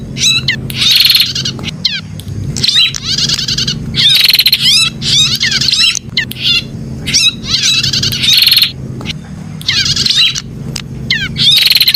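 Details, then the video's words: Prinia song played as 'pijat' stimulation for kept birds: a continuous run of energetic, buzzy, rattling phrases and sharp chirps, repeated back to back with brief gaps over twelve seconds, over a steady low hum. "suara pijat burung prenjak"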